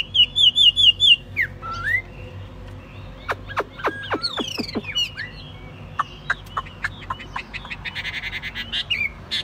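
A Chinese hwamei sings a varied, loud run: a quick trill of whistled notes, rising slurs, then sharp downward strokes and a fast chattering series over a low hum.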